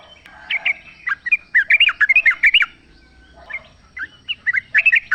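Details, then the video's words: Sooty-headed bulbul singing in the wild, played to coax a caged bird into answering; quick warbled phrases of looping whistled notes in clusters separated by short pauses, with faint background chirps. "trucuk gacor ngalas full suara alam ampuh buat pancingan agar bunyi jadikan trucukmu gacor nyaut"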